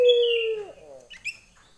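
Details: Female Barbary dove calling a male, lenjeh style: one short steady coo sliding down at its end, followed by a few faint high chirps.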